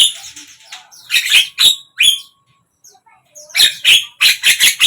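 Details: Javan myna singing in the morning, midday and evening: bursts of harsh, buzzy, broadband chattering notes separated by short pauses, with a quiet gap mid-phrase before a rapid run of squawky notes.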